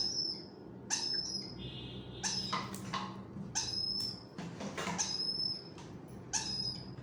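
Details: Hand-fed grey parrot chicks in Kakinada give thin, high squeaky whistles, some rising, repeated roughly once a second, with soft clattering and a low background hum.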